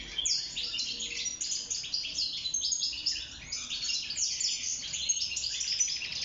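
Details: Wild-caught European goldfinch, known locally as mqnin, singing inside a cage for mating and nest building; continuous high, rapid twittering with tinkling notes and buzzy trills, running without pause through the whole stretch.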